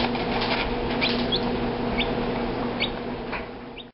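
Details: A Rhode Island Red chick and a Dominique chick make about five brief, high, falling peeps spaced unevenly, over a constant low electrical hum and light rustling.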